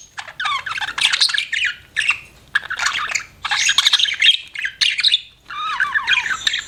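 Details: Chirping budgerigar in short loud bursts of raspy chatter and warbled, sliding whistles, each burst about half a second to a second long, separated by brief gaps.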